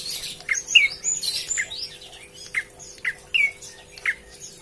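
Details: Vocal prinia calling to its companions, giving a lively series of short, sharp chips and slurred downward whistles, repeated roughly every half second with brief pauses, over a faint constant hum.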